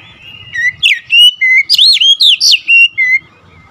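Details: Fierce singing from an oriental magpie-robin: rapid series of bright whistles, some flat, some arching up and down, around ten phrases in a row, then quieter.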